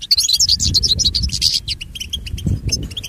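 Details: Training song of the European goldfinch: dense, sparkling twitter of quick overlapping notes early on, easing into spaced chirps and short trills, with low rumble beneath.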